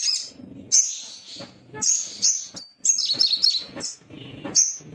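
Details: Little spiderhunter, a male, agitated and seeking a rival. It gives sharp, very high chit notes, singly and in quick clusters, with pauses of about a second. A low rumble runs underneath.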